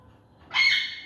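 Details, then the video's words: Harsh, grating squawk from a caged macaw climbing netting, one rising, coarse burst near the end of a short quiet stretch. "Noise of Birds|Macaw Climbing on Net"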